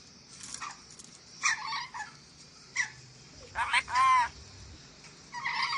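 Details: Ornate lorikeet from Sulawesi, recorded as a tutor track for training birds: scattered short harsh screeches and raspy chatter, with one louder drawn-out screech near the middle and quiet pauses between.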